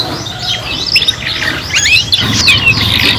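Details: Young canaries singing together while learning: looping whistled sweeps and chirps, softer and more slurred, with a low rumble underneath.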